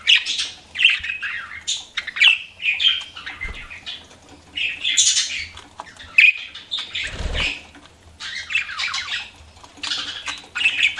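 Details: Pet budgies chirping and warbling in short squeaky bursts every second or two, with soft low thumps that may be wing or cage movement.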